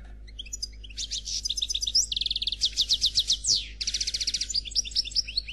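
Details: Khalwi-style song of a 'noir' European goldfinch, delivered without faults: soft scattered chirps build into fast metallic trills, a descending buzzy sweep, then rattling bursts and rising twitters.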